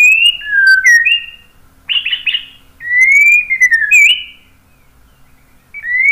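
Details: White-rumped shama delivering clear slurred whistles, a dip and rise, then a burst of harsh buzzy notes, followed by longer fluting whistles and a final upward whistle after a quiet gap.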